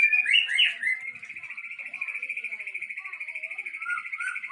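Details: White-rumped shama from Aceh, termed a super fighter, gives a brief burst of whistles, then a long, even, rapid trill held on one pitch for over three seconds.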